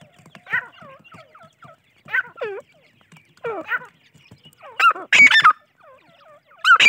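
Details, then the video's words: Teetar chicks calling: short downward-curving peeps in loose clusters, broken by louder harsh squeaky bursts toward the end, quiet gaps between groups. "teetar chicks voice"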